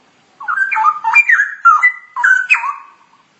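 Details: Straw-headed bulbul song, ngoceh masteran style: a short, rich burst of gurgling, bubbling whistles that jump up and down in quick succession, clean and without background noise.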